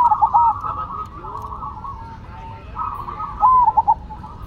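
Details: Perkutut (zebra dove), Cemani against Silver, in busy song: soft blended cooing throughout, with two brief stuttering coo runs at the start and near the end, over faint low noise.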